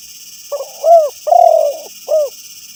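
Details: Spotted dove calling a rival, recorded for use as a lure to make other doves answer: a soft short coo, then a rounded coo, a longer drawn-out coo and a final rounded coo, all low and mellow over faint steady hiss.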